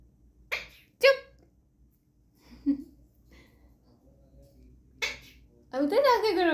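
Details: A pet talking Alexandrine parakeet gives three short, sharp sneezes, two close together and one a few seconds later, then ends on a harsh, wavering squawk or chatter. Faint room sounds fill the gaps.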